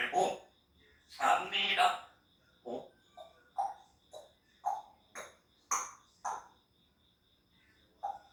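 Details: Pet grey parrot, three years old and known as a talker, opening with rough drawn-out squawks followed by separate short chirpy notes, some sliding upward, spaced roughly every half second. A thin constant high tone runs underneath.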